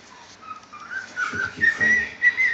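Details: Pet white-bellied caique playing with a Crocs shoe and singing: a run of clear whistled notes climbing in pitch, then several bright, sustained whistles repeated near the end.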